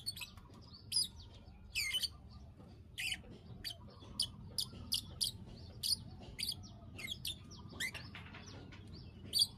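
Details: Bar-winged prinia klik klik calls meant to trigger breeding condition: sharp, high, snapping clicks repeated irregularly every half second to a second, some in quick doublets, over a quiet background.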